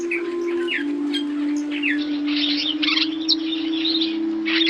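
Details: African starling giving scattered squeaky notes and short twittering bursts with rising whistles, over sustained low musical tones that shift slightly in pitch throughout.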